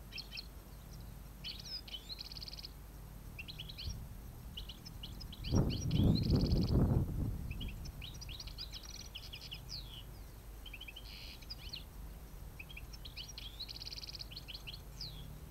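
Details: Goldfinches during an autumn trapping session on 5 November 2017 give bright, liquid twittering bursts of quick tinkling notes every second or two, over a steady low rumble with a brief loud gust midway.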